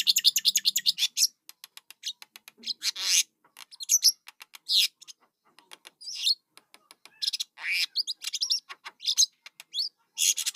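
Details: Nestling starlings give loud rattling rasps, then irregular harsh chirps and hissing bursts throughout, very high and scratchy.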